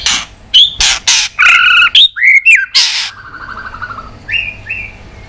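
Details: White-rumped shama in a provoked fighting song: harsh rasping bursts alternate with short whistled slurs, then softer rising whistles trail off into quieter notes.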